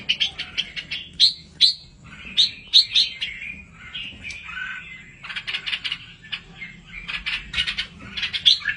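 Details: Aviary-kept red-whiskered bulbul chicks give high, thin chirps in uneven clusters, with sharp upswept notes early on and denser chattering toward the end, over faint low hum.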